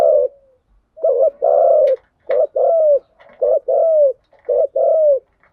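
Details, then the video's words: Spotted doves, male and female, cooing in a lure recording for stimulating decoy birds, thúc gù and gáy gọi styles: paired coos, a short note then a longer falling one, repeated about every second. "Tiếng chim cu gáy mồi giọng lôi cuốn hấp dẫn đủ bài[ THÚC GÙ , GÁY GỌI ]"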